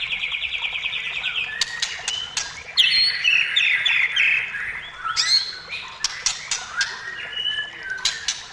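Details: White-rumped shama opening with a fast buzzy trill, then jumbled chattering and whistled notes broken by sharp loud clicks.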